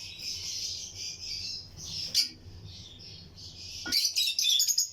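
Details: Lutino lovebirds in a colony breeding aviary: a steady, hissing high chatter of many birds, one sharp call midway, and a louder squawky burst of chirps at the end.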